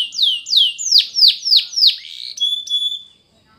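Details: Spanish Timbrado canary singing for training: a run of loud descending whistled sweeps about three per second, then a steady high held note with a second tone above it, fading out at the end.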